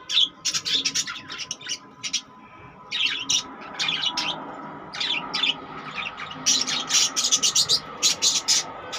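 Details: Caged budgerigars chattering busily, with dense, rapid high chirps and squeaky notes tumbling over one another almost without pause, growing thicker and faster toward the end.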